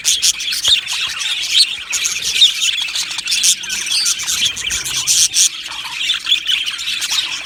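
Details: Budgerigars chirping and warbling in a colony aviary, many voices blending into an unbroken high twitter with frequent sharp squeaks and chirps.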